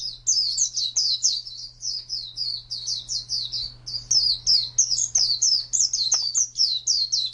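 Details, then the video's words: Steady, fast series of high sweet chirps from an Oriental white-eye singing ngalas wild-type song, the notes evenly paced several per second over a low constant electrical hum. "Suara Burung Pleci Ngalas Burung Kacamata Durasi Panjang"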